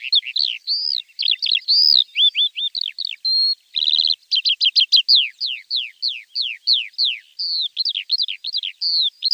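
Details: Javan bush lark singing in a training recording for untrained birds: rapid varied phrases of high whistles, fast buzzy trills and a run of sharp downward-sweeping notes, continuous and clean.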